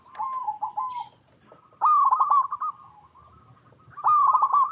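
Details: Zebra dove from its natural habitat giving a soft coo-coo-coo meant to get other doves calling; a wavering coo followed by two loud stuttering, trilled coo phrases.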